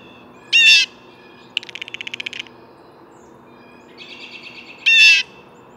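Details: Two loud, harsh, broadband screeches from a blue jay, one near the start and one near the end. Between them, fast rattling pulse trains, first loud and then softer, run in the quiet spaces.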